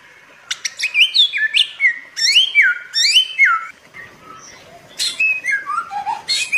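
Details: Bare-throated whistler (samyong, Pachycephala nudigula) in a lure and tutor recording for training pet birds gives a rich, varied song of slurred whistles, rising and falling notes mixed with sharp, explosive high notes, in quick bursts.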